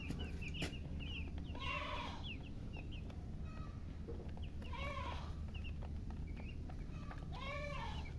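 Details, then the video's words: Domestic chicken chicks peeping in short high bursts, broken by louder, broader rising-falling calls repeated about every three seconds, over a constant low background hum. "silly chicken chirping sounds"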